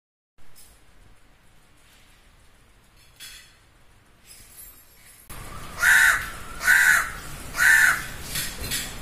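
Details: Crow cawing loudly: after several seconds of near quiet with faint distant sounds, three harsh, loud caws come about one second apart, followed by a softer trailing call.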